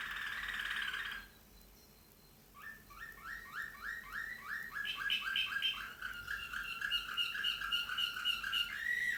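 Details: Slavujar canary singing: a sustained rich tone, a brief pause, then a rapid series of repeated rising chirps, speeding into a dense trilled roll with a final short whistle.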